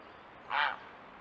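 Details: Grey heron (Ardea cinerea), call.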